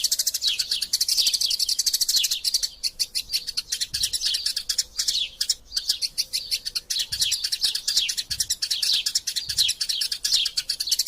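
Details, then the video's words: Fighting Eurasian tree sparrows in a master-sound recording for magpie robins, giving an unbroken stream of sharp, high chirps and quick downward-slurred notes with a couple of short pauses. "Burung Gereja Tarung Gacor Passer Montanus passeridae Eurasian Tree Sparrow erasia suara masteran"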